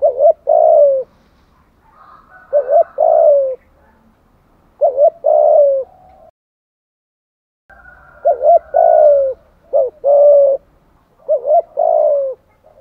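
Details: Spotted dove lure cooing, a series of phrases of a quick wavering double note then a long falling hoot, repeated about every two seconds with one silent pause midway.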